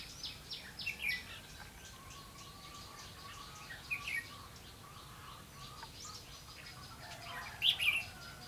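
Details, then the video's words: Decoy red-whiskered bulbul at a trap in wind and rain, 31 October 2016, giving scattered short chirpy phrases with a few louder bright notes near the start, middle and end over constant background noise. "Bẫy chào mào mưa gió"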